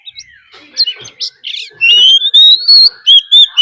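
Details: Oriental magpie-robin fighting song, a lure recording with a wild female's call: soft scattered chirps, then a loud, pure whistled note held and repeated several times in quick succession.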